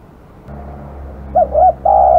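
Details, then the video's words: Spotted dove, noted as aggressive, delivering one phrase of two short coos and a long level coo, over a low mechanical hum. "burung terkukur kg galak"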